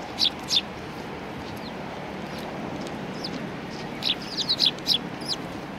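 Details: Eurasian tree sparrows gathering at food at a Tenmangu shrine in Japan on 19 April 2019: short, bright chirps in two bursts, a pair at the start and a quicker cluster near the end, over steady outdoor background noise.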